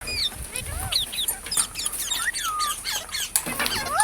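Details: Parrot in a talking compilation giving a rapid string of short whistled chirps and upward and downward sweeping squawks, some sharp and high, a few lower curved notes, with steady high-pitched background hiss.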